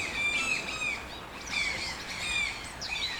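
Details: Scratchy, nasal toucan squawks in small groups, with several calls overlapping, heard over a noticeable background hiss.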